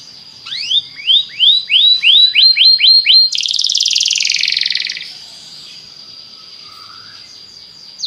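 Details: Belgian canary song meant to spur other canaries to sing: about ten rising whistled notes repeated at a steady pace, then a loud rolling high trill of nearly two seconds, followed by quiet with one faint note.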